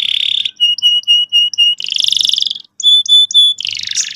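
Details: Canary singing strongly as a training song for juvenile canaries: a buzzy roll, evenly spaced clear whistled notes, a dense rattling trill, more whistles, then another churring roll; quiet background.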